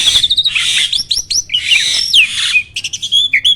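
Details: Starling training song said to provoke rival birds: a dense run of varied whistles, chirps and harsh raspy bursts, with upward and downward slurred notes following each other rapidly.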